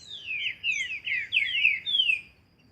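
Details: Green-winged saltator in nature, training song: a continuous run of clear whistled notes sliding downward, delivered in quick succession and ending in one long falling whistle.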